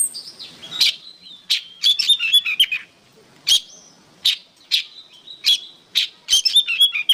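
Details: Oriental magpie-robin, recorded as songbird training material, delivering loud sharp notes about four per second, mixing single clipped chips with quick clusters of twittering whistles.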